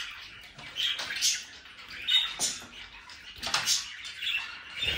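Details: Budgerigars chattering, a flock sound with scratchy, squeaky calls and brief whistled notes concentrated high, bursts every second or so, overlapping voices throughout.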